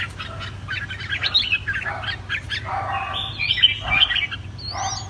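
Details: Caged red-whiskered bulbul singing a run of bright, chattering chirps and quick fluty whistles, some sweeping upward, over a steady low hum.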